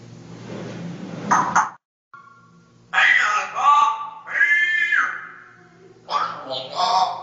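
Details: Very loud Dutch parrot, produced in 2010, starting with a noisy rasp, then a brief pure whistle, followed by long harsh harmonic screeches and gurgling squawks, some with steady whistled overtones.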